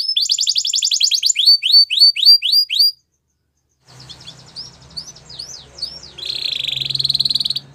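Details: Belgian canary training song: a rapid trill, then crisp falling whistles, a brief silence, and softer twittering over low hum, closing in a dense buzzy roll.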